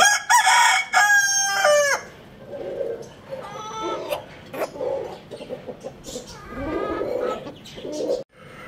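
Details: Rooster gives a loud, strained crow lasting about two seconds, followed by softer clucks and short calls from other fowl.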